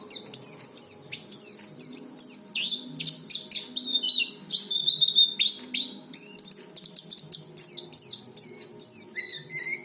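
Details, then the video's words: Rapid, busy warbling of an oriental white-eye, played every day to stimulate untrained birds to start singing: dense high chirps and sweeping notes tumbling almost without pause for ten seconds. "Suara pleci ini cocok untuk memancing pleci bahan agar cepat bunyi"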